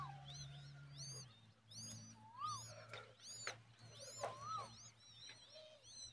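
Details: Mother common babbler giving a hungry chick a large worm; loud, clear, ringing notes with rich overtones in short bursts, including rising-and-falling whistled calls and brief pauses, over a faint low hum.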